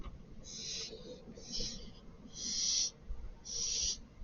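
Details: Barn owl chick giving harsh, breathy hissing screeches, four bursts of roughly half a second each with short gaps, over faint low background rumble.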